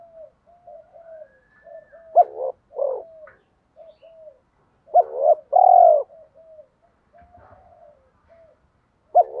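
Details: Several cooing spotted doves, used to push lazy captive birds into calling: steady soft low coos throughout, broken by louder double notes and a strong long coo midway, with a faint knock.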